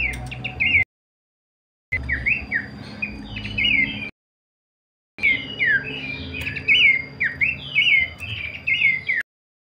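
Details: Broken stretches of pelanduk semak, Horsfield's babbler, kleperan song: clusters of rapid, twisting whistled notes separated by silent cuts, with a faint thin tone running steadily above.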